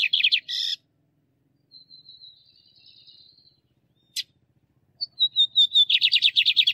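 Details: Lined seedeater, male song among female calls, for training caged birds: harsh buzzy notes open, a long thin high whistle fades, a sharp click sounds, then whistled notes lead into a rapid, loud, buzzy repeated trill.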